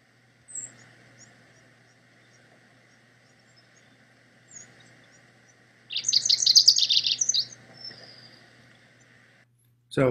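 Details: Rufous-crowned Sparrow in chaparral of Rubio Canyon, Altadena, gives one quick, high, jumbled chatter of about a second and a half; earlier faint thin high notes, possibly another species, a steady electrical hum, and a sharp knock at the end.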